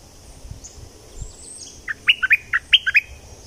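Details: Bulbul from southern Thailand, recorded as playback to excite birds for decoy trapping; after a quiet start, a quick burst of about seven short, bubbly notes that rise and fall, grouped in a lively phrase at the end.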